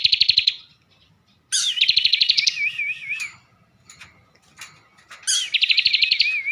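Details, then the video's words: Energetic caged bar-winged prinia from Tegal, Central Java. Its rich filled song mixes rapid pulsed buzzing with a lower, rolling, wavy whistle, in three bursts separated by brief quiet gaps. "ciblek gacor isian mewah"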